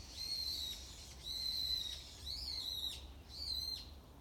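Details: Morning song of a hidden wild bird: clear, pure high whistles, each held about half a second, some slightly rising then level, repeated roughly once a second over faint low background noise.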